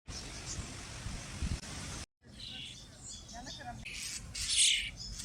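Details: Common starling chicks being fed by a parent, Pärnu, Estonia, 1 July 2025: harsh, raspy begging calls in rising bursts after a stretch of rushing wind or handling noise.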